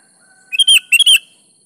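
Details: Energetic gacor song of a sooty-headed bulbul, a lure recording for lazy bulbuls: two quick phrases of chirps rolling into bright warbled whistles, a faint steady tone beforehand.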